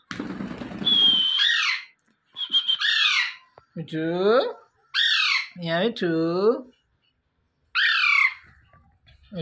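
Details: Alexandrine parakeet, a pet, giving natural morning calls: a whistled note, then a run of hoarse, wavering squawks with rich harmonics, separated by brief silences.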